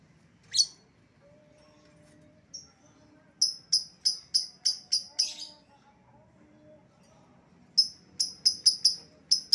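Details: Lovebird lure call used to call back an escaped bird: one sharp squawk, a pause with faint thin tones, then two fast bursts of shrill, high chirps, about three per second.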